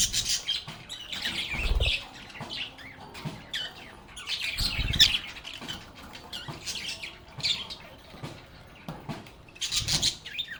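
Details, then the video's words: Lovebirds singing, playing and chatting together: a busy overlap of shrill chirps and harsh squawks, with soft thumps and scuffling sounds between calls. "Lovebirds agapornis sounds"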